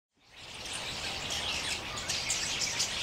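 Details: A small flock of jungle babblers in open forest, allopreening and mock fighting, give a dense, harsh, squeaky chatter of overlapping high calls, about three a second, over a steady hiss.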